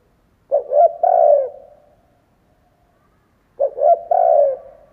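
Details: Decoy spotted dove cooing to attract wild doves; two loud, mellow three-part phrases about three seconds apart, two brief hooting notes then a longer sustained coo that fades out, with silence between.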